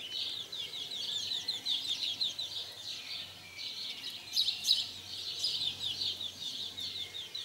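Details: Excited house sparrow chirping during frequent mating in 2020: a dense series of high, downslurred chirps, louder and busier in the middle.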